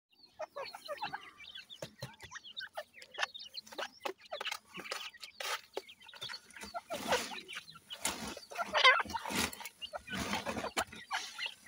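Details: Grey francolin chicks calling: thin, high chirps and short rising peeps repeated irregularly, mixed with dense clicking and handling-like thumps throughout.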